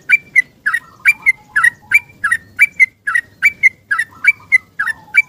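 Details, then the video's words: Yellow-vented bulbul in lively morning song, seeking a companion; played as a lure for bulbuls gone quiet after moving cages. Quick repeated whistled notes, about three per second, with a few soft lower slurred notes between. "Trucukan Gacor ROPEL panjang - mencari kawan bunyi pagi hari"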